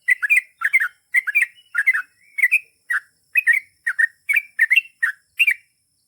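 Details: Gacor sooty-headed bulbul pouring out ropel panjang song, a chain of bright, gurgling chirp clusters at an even rhythm, about two groups per second, with a brief thin whistle in between.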